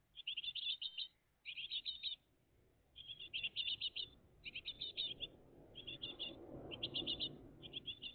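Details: Great tit family at the nest, recorded live on 20 June 2023 between about six and eight in the morning; high, rapid chirps in tight bursts of about a second, repeated after short pauses, with a faint low rumble behind.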